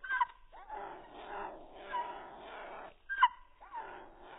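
A cockatiel gives two sharp, falling whistled notes about three seconds apart, between stretches of odd, whiny, muffled chatter that sounds almost like a whimpering dog.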